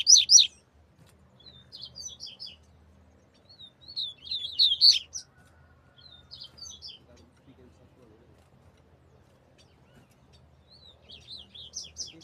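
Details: Double-collared seedeater singing in the desmantelo style: bursts of sharp, high twittering and buzzy notes, in phrases about two seconds apart with quieter pauses between them, over a faint low hum.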